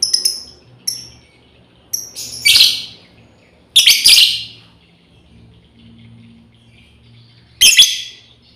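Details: Female lovebird calling its companions in a series: a few thin, short high chirps open, then louder harsh, screeching bursts come in pairs at irregular intervals of one to four seconds.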